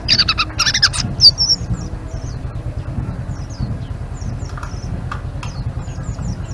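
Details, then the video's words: Blue-winged leafbird in ngeriwik style opens with a loud burst of dense chattering, then trails off into sparse faint high whistled notes, a low hum running throughout. "Suara Burung Selendang Biru Gacor❗❗ Ngeriwik"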